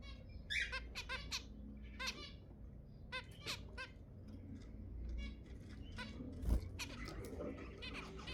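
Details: Zebra finches, sounds meant to stimulate mating: short nasal, trumpet-like beeps repeated irregularly, some in quick pairs, with rustling and a low background hum.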